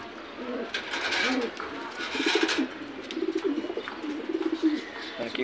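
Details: Pigeons in a loft cooing: low, throaty rolling coos in overlapping bursts through the second half, after a stretch of voices and clattering noise.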